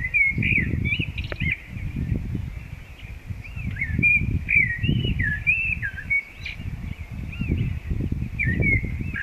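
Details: Common blackbird singing along the Zauberwinkel and Kundler Bergweg, a run of mellow, fluty warbled phrases with rising and falling notes over a steady wind-like rumble.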